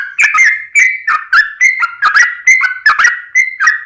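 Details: Lively yellow-vented bulbul song in the long 'ropel panjang' style, meant to provoke other bulbuls into singing: gurgling, slurred whistles stepping up and down, delivered in short bursts roughly twice a second.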